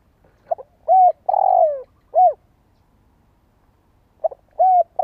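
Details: Spotted dove decoy cooing to stimulate listening birds. A phrase of a soft intro, a short arched coo, a long falling coo and a closing short note, then the phrase starts again about two seconds later. No other sounds.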